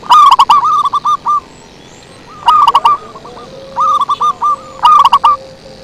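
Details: Zebra dove lure call: bursts of soft, rapid cooing notes in short trilled phrases, each group about a second long, repeated with pauses, plus a steady faint tone in the background.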